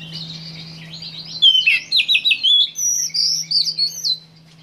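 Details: Oriental magpie-robin (Copsychus saularis) recorded in May 2015 sings a rich, varied run of clear whistles and quick slurred notes, high-pitched and fast, over a low steady hum.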